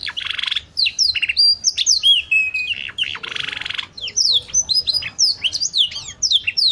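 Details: Singing canary, valued for its 'cengkok' phrasing and used to tutor other birds. High slurred whistles and long buzzy rolls alternate with quick chips, and a short steady whistled note sits in the middle.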